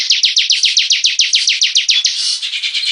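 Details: A bar-winged prinia singing hard, giving a rapid, evenly spaced string of loud, high chips, each sliding downward. The string then blurs into a softer, buzzy twitter.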